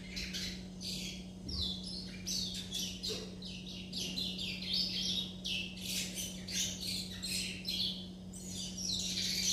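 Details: Young chestnut-bellied seed finches, kept birds, practising their rambling juvenile song, called churrilhando: rapid, dense twittering of short chirps and buzzy notes, nearly continuous for the whole stretch, over a steady low electrical hum.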